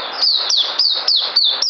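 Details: Caged oriental white-eye giving a short run of six high, thin chirps, each sliding downward, spaced roughly a quarter-second apart with no other sounds.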